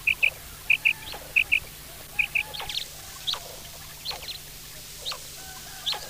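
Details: Quail giving crisp, high, paired notes, each pair quickly doubled and repeated four times in the first half, then fainter scattered chirps and ticks over a low constant hum.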